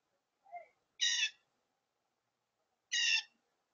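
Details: Very loud, noisy blue jay calling: a soft short note, then two harsh, buzzy screeching calls spaced about two seconds apart, with quiet surroundings.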